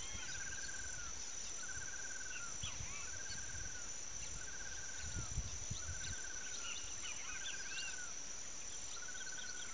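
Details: Gray monjita (Nengetus cinereus), a bird of open fields and riverside cerrado, gives a low, burry trilled note about every second and a half; other birds chirp higher behind it over steady insect hiss and wind rumble.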